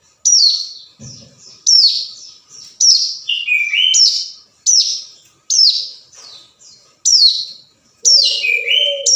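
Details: Rival-calling hill prinia, used as a lure: rapid high sweeping notes about once a second mixed with lower twittering phrases, a short low thump and, near the end, a brief low hum.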